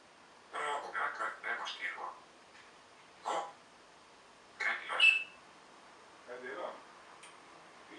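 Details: Talking African grey parrot kept as a pet, chattering quick runs of speech-like syllables, then isolated short utterances separated by quiet gaps, inside a small room.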